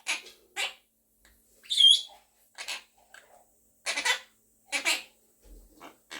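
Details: A pet monk parakeet, or Quaker parrot, talking and singing with its owner indoors gives a series of short harsh squawks and one high whistled note, about six calls with quiet gaps between them.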